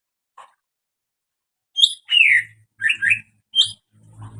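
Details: Greater green leafbird uttering odd calls: four separate bright chirps and slurred notes over two seconds, a low hum underneath and rustling at the end.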